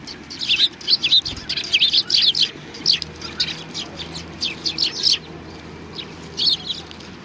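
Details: Sparrows coming to be fed at a Tenmangu shrine on 25 November 2020: a flock gives bright, high chirps in quick irregular bursts. The calls overlap densely for the first five seconds, then thin out to a few scattered notes.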